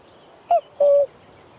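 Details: Common cuckoo calling in the Baie de Somme, a two-note cuckoo call, the first note short and higher, the second longer and slightly lower, over a quiet background.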